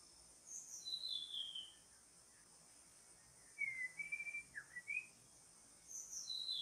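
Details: White-rumped shama song played to lure and trap a rare long-tailed wild bird: clear high whistled phrases with sweeping and slurred notes, separated by short silences, over a faint constant high hiss.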